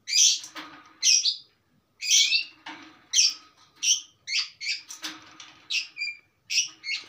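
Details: Stable long-tailed shrike song packed with varied material. Loud raspy bursts are followed by a faster sequence of short chirps and a few thin whistles.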